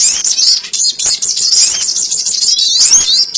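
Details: Lure sound for trapping sogon birds: an unbroken, shrill, buzzy chatter with thin slurred whistles laid over it throughout.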